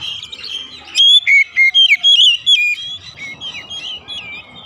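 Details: Lure recording of an oriental magpie-robin for domestic magpie-robins: a run of roughly eight loud, pure whistled notes, followed by softer, fading warbles over background noise.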